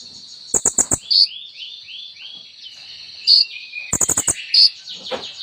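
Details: Sunbird called kolibri ninja singing a full song with imitated phrases. A series of short descending high notes sits between sharp chips and two bursts of four to five rapid clicks.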